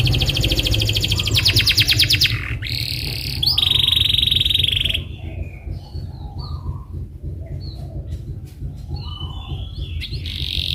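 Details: Canary lure song for teaching rolling chatter: a loud rapid trill and held tone fill the first four seconds, followed by faint scattered notes over a low background hum.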